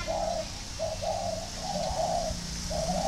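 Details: Kept spotted dove in northern Vietnam, Ba Vi, cooing in soft, even hollow notes about once a second, with a low rumbling hum underneath.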